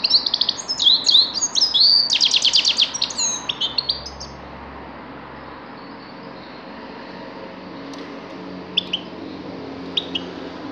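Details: Grey-crowned goldfinch in a burst of bright, rapid twittering song, including a fast trill of repeated notes, then near silence with a few faint chips.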